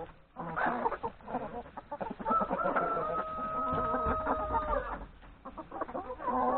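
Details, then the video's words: Chickens, hens and three roosters, feed in a yard at breakfast before heading to the forest to graze; a flock clucks, and a long, level crow holds steady from about two to five seconds. "Chickens, hens and three roosters breakfast in the yard"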